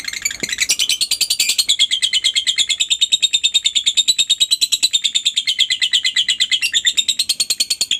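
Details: Shrill lovebird calling meant to set silent lovebirds off: an unbroken stream of fast, sharp chirps, evenly spaced throughout.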